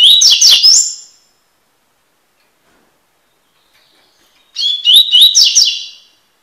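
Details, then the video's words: Two short bursts of tui tui song from a Double-collared seedeater, recorded for song training. Each is a rapid, high, whistled warble of rising and falling notes, with a few seconds of silence between them. "coleiro tui tui cantando (encarte)"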